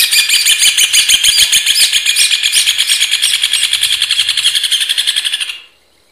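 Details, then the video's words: Rufous hornero (Furnarius rufus) song: a long, rapid series of loud, sharp, ringing notes running together into a dense rattling trill for about five and a half seconds, then stopping abruptly into silence. "Hornero Canto - Rufous Hornero Bird Song"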